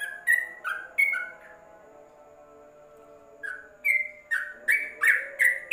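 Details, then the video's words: Yellow-vented bulbul tutor song for birds kept in a cage cover: a few clipped whistled notes, a silent pause of two seconds, then a quickening run of bubbly, slurred whistles rising toward the end. "Masteran Trucuk dalam krojong"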